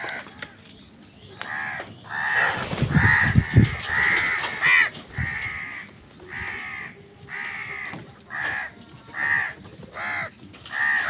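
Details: Crows squabbling with other wild birds over food give harsh, hoarse caws in a rapid, uneven series of about ten bursts, some overlapping, with a brief low thumping noise near the start.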